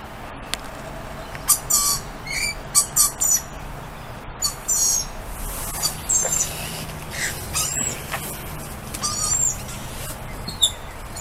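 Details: Several lorikeets greeting a person outdoors, giving a busy run of sharp chirps and short harsh screeches in quick bursts, some overlapping, with faint background hiss throughout.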